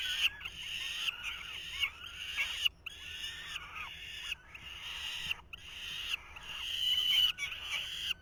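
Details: Falcon nestlings in 2023 while the male tries, rather unsuccessfully, to feed them. Persistent wheezing, scratchy calls run in bouts of about a second, cut by sudden pauses.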